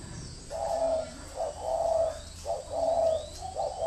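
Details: Spotted dove decoy bird cooing in a rhythmic run of short-then-long hollow notes, about one phrase per second, with faint thin whistles of other birds.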